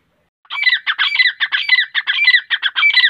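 A grey francolin gives loud, harsh, ringing notes in a fast, steady series, several per second, with no other sounds.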